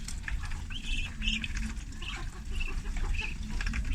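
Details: Thirty farm ducklings at feeding time, giving short high peeping calls in quick bursts, several overlapping, over a steady low rumble and splashing water.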